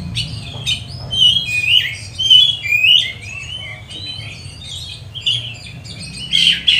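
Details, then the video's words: Oriental magpie-robin singing energetically as a training lure for magpie-robins during lockdown; a run of rising and falling whistled slurs and squeaky notes, some scratchy chips, over a steady low hum. "Pancingan kacer gacor nembak untuk melatih kacer di saat lockdown, bongkar isian kacer cepat emosi"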